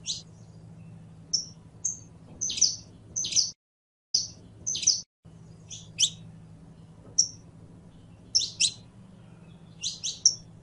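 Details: Saffron finch singing bright high chirps and brief whistles in irregular groups, with two short silent breaks and a faint low hum.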